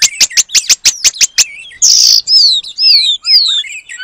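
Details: Oriental magpie-robin copying Asian paradise flycatcher sounds as training material. Eight sharp, evenly spaced notes, then a harsh buzzy burst and a series of sliding, falling whistles.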